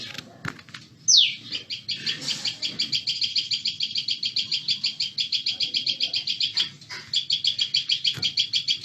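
Common Tailorbird giving a loud, rapid run of sharp, high chirps, about five per second and steady for several seconds, after one downward-sweeping note.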